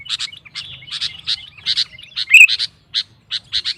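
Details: Rival-provoking song of a sooty-headed bulbul: paired sharp chirps and short warbles, ending in spaced single notes.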